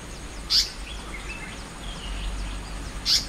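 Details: Immature Asian paradise flycatcher calling near water: two loud, scratchy, buzzy notes about two and a half seconds apart, with soft thin whistles from other birds and a low steady rumble between them.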